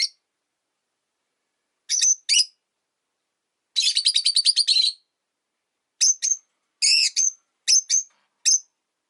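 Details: Rosy-faced lovebirds, five caged pets by a window, calling in winter: scattered piercing single chirps, then a fast buzzy trill of about a dozen notes, followed by more spaced, sharp high squeaks.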